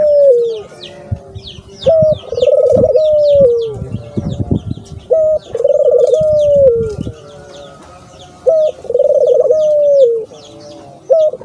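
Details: Dove calling, recorded to prompt a kept dove to sing: three low coo phrases about every three seconds, each a short note, a rolling vibrato burst and a long gently falling tone, with thin high chirps of other birds and low thumping midway.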